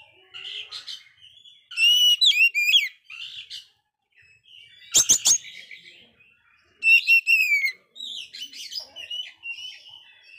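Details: Oriental magpie-robin in failed moult, very vocal, used as a lure song to stimulate dispirited magpie-robins. Loud bursts of sweeping whistles and chattering notes come in clusters separated by short quiet gaps, with one sharp clicking burst.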